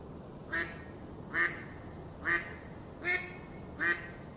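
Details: Five steady, harsh quacks from a duck on a pond, spaced just under a second apart, each short and nasal with rich overtones, against faint background hiss.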